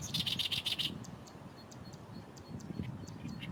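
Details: Oriental reed warbler in reeds next to a Fukuoka Airport runway, Japan, gives a loud burst of grating, rapidly repeated notes for under a second, then only faint scattered chirps over low rumbling noise.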